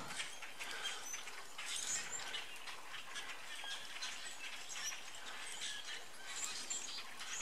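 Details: Migrating starlings gathered in trees, an invasive species in North America, heard from a distance; continuous overlapping squeaks and creaky chatter in rapid bursts, with scattered high whistled notes, over a faint outdoor hiss.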